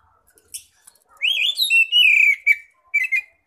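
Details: Ngeplong-style song of an Oriental magpie-robin, played to lure others of its kind: a few soft clicks lead into a long, loud whistle that rises, holds and slides down, followed by two short sharp notes.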